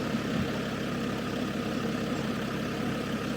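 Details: A vehicle engine idles steadily with a low rumble and broadband hum, and no animal calls are heard.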